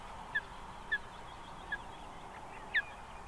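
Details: Osprey calling at its nest in South Estonia, Võrumaa, in 2021, near a river and a fish farm. Four short, slightly falling high chirps come at uneven intervals over about three seconds, faint above a steady low background hum.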